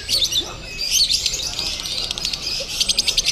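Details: At a singing contest in Bandung, a lovebird delivers konslet crazy song, a continuous stream of shrill, rapid chirps and twittering trills, thick and unbroken, with faint voices behind.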